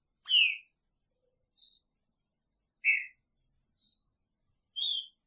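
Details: Caged green-winged saltator with its female alongside, uttering three separate rich whistled notes about two seconds apart, each short and slightly descending, with faint soft peeps between.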